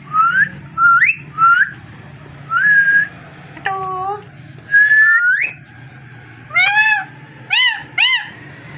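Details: Pet parrot whistling in short separate phrases: brief upslurred notes, a few falling tones and sharp rising arched whistles near the end, with short silences between and a low background hum.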